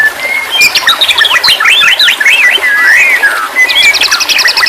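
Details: A white-rumped shama sings a varied, rich phrase: a clear whistle, tumbling slurred notes, a long wavering sweep, then a burst of sharp rapid high clicks.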